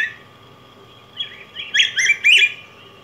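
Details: Yellow grosbeak (Pheucticus chrysopeplus), a large cardinalid of Mexico and Guatemala, singing a short burst of rich warbled notes that rise and fall, building to three loud phrases near the end, over a steady faint background hum.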